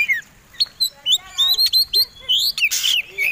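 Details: White-rumped shama fighting song, used to provoke other birds into singing: varied whistled and chattering phrases, some rising and falling, with a harsh burst near the end and short pauses between notes.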